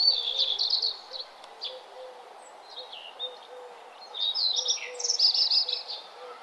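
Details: Birds sing along a nature trail at sunrise: a bright rapid trilled burst opens, followed by sparse chirps, a soft low repeated note, and another loud high trill.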